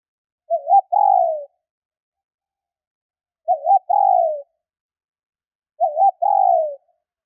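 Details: Spotted dove female calling to stimulate males, three even phrases about three seconds apart, each a quick wobbly coo then a longer coo sliding downward; clean and quiet otherwise.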